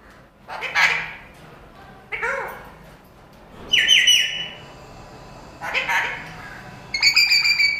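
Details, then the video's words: Pet parrot talking: a series of loud, harmonic, speech-like squawks and warbled phrases in separate bursts roughly every one to two seconds, some rising and some held, indoors in a quiet room. "ये तोता सब कुछ बोलता है || Parrot Talking Everything Day"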